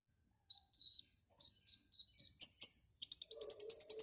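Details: White-rumped shama, called konin, singing energetically with a full repertoire of learned filler phrases: high thin whistles repeated about every half second, then a rapid buzzy rattle of pulses with a faint lower chatter beneath.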